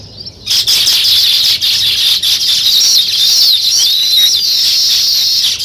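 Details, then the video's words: Weaver birds building their nest: after a brief quiet start, a dense, unbroken wall of high buzzy chattering and squeaky twitters from many birds, with fine slurred notes woven through. "Natural Sparrow Chirping Sounds | Weaver Birds Building Nest"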